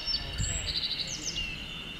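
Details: Japanese yellow bunting calling and singing: a quick run of about five evenly spaced high, bright chirps lasting under half a second, with a few thin notes before and after, over a steady high-pitched background tone.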